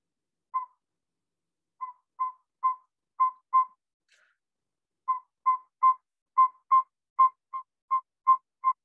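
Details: Northern Saw-whet Owl recording played as an example during an owl-survey talk, giving clear, whistled single toots on one steady mid pitch, about two or three per second and consistent, with a brief pause midway; described as close to a boreal owl's call.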